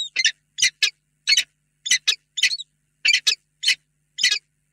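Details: Peregrine falcon pair at a nest box in Reda during a long, tender meeting before evening on 28 February 2022; harsh, scratchy chipping calls given in short bursts of one or two notes, about twice a second, with silent gaps.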